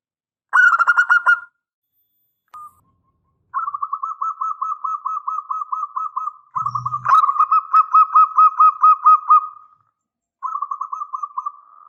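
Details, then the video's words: Zebra dove of local stock, singing actively as a lure for replies: a short burst of coos, then long stretches of fast, regular pulsed cooing with brief pauses and a single low thump. "Perkutut lokal GACOR suara besar"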